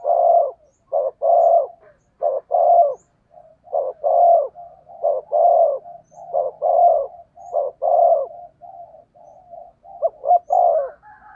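A spotted dove gives soft, low, hollow coos in short rhythmic phrases.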